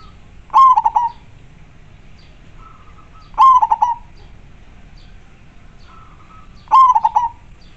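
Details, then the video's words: Local Indonesian zebra dove of majapahit style, singing clearly: three bursts about three seconds apart, each a soft lead-in note then a strong whistled coo breaking into rapid rolling notes, quiet background. "Perkutut lokal gacor sangat jernih majapahit suara nya bikin adem"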